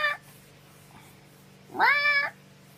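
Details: An umbrella cockatoo in a quiet room "sings" love you: a brief nasal note, then a longer, rich, meow-like phrase that rises and holds.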